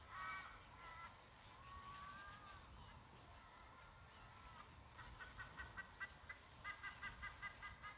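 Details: A white-bellied sea eagle chick on a live-camera nest, 5 August 2022, begs its mother for food with drawn-out, wavering nasal notes, then rapid runs of short honking yelps, over a steady low rumble of wind.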